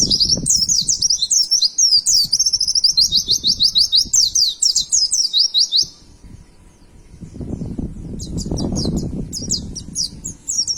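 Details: White-eye kept as a pet, singing as training material for other caged birds: rapid high twittering trills of sliding notes for six seconds, a pause, then more bursts, with low rumbling background noise.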